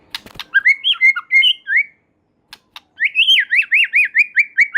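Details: White-rumped shama in energetic song said to prompt other shamas to sing: varied whistled phrases, a pause, then a fast repeated series of rising-falling whistled notes, about eight in a row.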